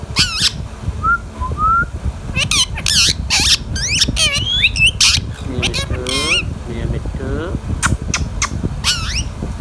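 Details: Pet Indian ringneck parakeet talking: a rapid run of harsh, speech-like syllables and squawks with short whistled slides between them, over low background rumble.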